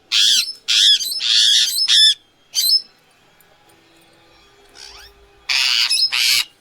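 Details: Indian ringneck (rose-ringed) parakeet giving harsh, raspy screeches in about seven short bursts, some in quick runs, with a long quiet gap between them.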